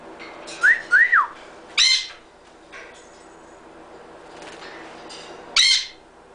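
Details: Pet cockatiel whistling Happy Birthday: three short clear whistled notes, each rising then falling, early on, followed by two harsh, noisy chirps about four seconds apart, with quiet background between them.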